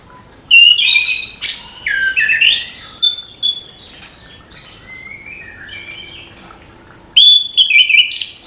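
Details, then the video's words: Orange-headed thrush singing in the morning, with bursts of rich babbling whistles and rising slurs, a quieter stretch of thin notes, then another loud outburst. "ANIS KEMBANG GEMERCIK SUARA DIPAGI HARI, MENAMBAH SEMANGAT ANIS MUDA BUKA PARUH"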